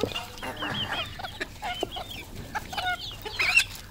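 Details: Locally kept decoy red junglefowl give scattered short clucks and high, arched chirps with brief pauses, ending in a louder, sharper burst; a low hum runs underneath.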